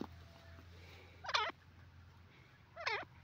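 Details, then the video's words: Grey francolin, known locally as teetar, giving two short harmonic calls about one and a half seconds apart, each a hooked note rising then dropping, over a steady low hum. "grey francolin teetar sound,teetar awaz"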